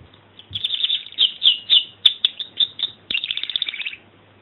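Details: Singing canary: evenly spaced high chirps speed up into a rapid, buzzy rolling trill before the song stops.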